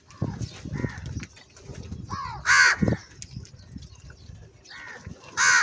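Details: Angry crow calling very loudly: two harsh, hoarse caws stand out, one near the middle and one at the end, with softer calls and low rumbling background noise before them.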